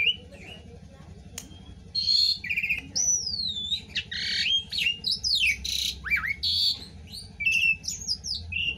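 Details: Caged Asian pied starling singing a song filled with imitations of other birds such as the green leafbird, magpie-robin and bulbul: varied whistled slurs, rising and falling sweeps and harsh bursts, with a low hum underneath.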